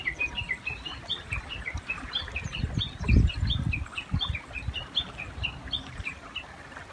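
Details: Japanese bush warbler calling beside a river, giving two different songs. A long, steady run of short, bright chirping notes repeats several times a second, over low rumbling water noise with a heavy thump midway.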